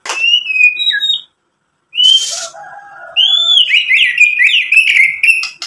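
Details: White-rumped shama song used to provoke other shamas: clear slurred whistles, a harsh rasping burst over a low buzz, then a rapid trill of repeated zigzag whistled notes.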